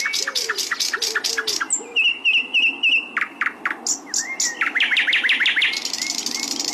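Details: Sikatan londo (flycatcher) singing energetically: rapid sharp clicks, a run of repeated whistled notes, lower arched phrases and a closing buzzy trill.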